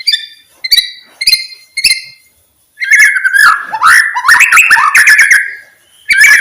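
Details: White-rumped shama song for stimulating silent shamas: several ringing chip notes about half a second apart, a brief pause, then a fast warbled run of slurred whistles.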